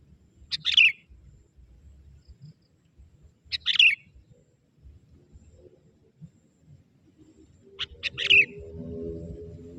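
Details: Young wild sooty-headed bulbul summoning wild birds of its kind, three short bright chirps at uneven gaps of about three to four seconds, with low hum and a rising murmur near the end.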